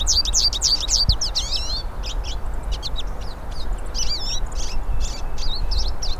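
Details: Hooded siskins singing in the wild, several birds: a busy run of high twittering notes at the start, then scattered chirps and short warbles over steady low noise.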